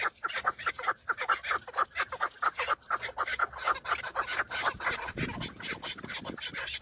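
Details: Several males of chukar partridge clashing in breeding season while displaying to females, recorded from inside a car. Loud, regular cackling chuk notes about two per second, running together into a dense chatter.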